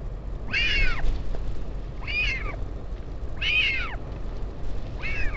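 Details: Northern royal albatross at its colony at Taiaroa Head near Dunedin, New Zealand, during a parent's visit to its chick on 16 July 2019. Four loud arched, nasal calls, each rising then falling, about every one and a half seconds, over steady low wind rumble.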